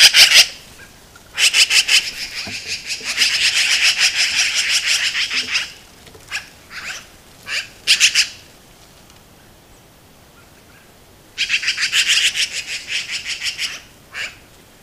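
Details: In Montana, magpies give harsh, rattling chatter in rapid bursts while defending a carcass from a red fox.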